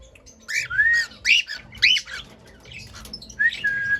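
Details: Cockatiel song of loud squawky chirps and sliding whistled notes, a long drawn-out whistle near the end, with faint low hum beneath.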